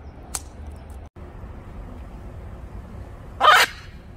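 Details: Blue-and-yellow macaw kept as a pet, teasing its owner. A soft tick opens a mostly quiet stretch, then one short, coarse, grating squawk comes near the end over low room noise.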